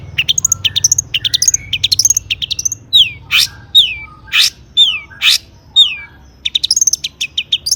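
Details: Long-tailed shrike song packed with mimicked phrases, played to stir other shrikes into singing: fast varied twitters, then loud downward-sweeping whistled notes about every second, ending in quick chatter.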